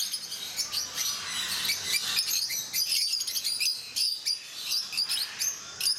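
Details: Peach-faced lovebirds in Mysore Zoo produce a busy stream of piercing, high twittering notes, many birds calling at once in rapid, overlapping bursts.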